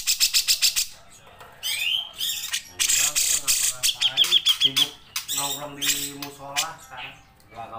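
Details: Grey-cheeked bulbul (cucak jenggot) singing in lively gacor form, recorded as a training recording for songbird keepers. Fast buzzy pulse burst, nasal harmonic calls, upslurred whistles and a short high whistled run, ending in another rapid series.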